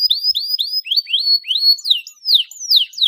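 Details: Lively canary song, played as a lure for untrained young canaries: a steady series of clear whistled sweeps, each rising then falling, repeated about three times a second and sliding lower over the run.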